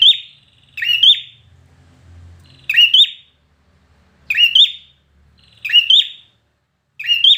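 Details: Competition-trained red-whiskered bulbul singing in short, loud bursts of sharp rising chirps, spaced roughly every one and a half seconds with quiet gaps between, a faint low hum in the background.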